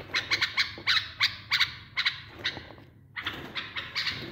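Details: A tame bulbul sings, recorded for mating training: a series of short, bright, repeated notes, several per second, pausing briefly before resuming, over a steady background hiss.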